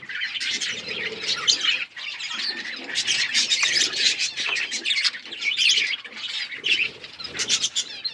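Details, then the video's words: Budgerigars chirping together: a busy, overlapping flock chatter of scratchy high chirps and squeaky warbles, with brief lulls and some soft low fluttering beneath. "Australian parrots chirping sound birds singing"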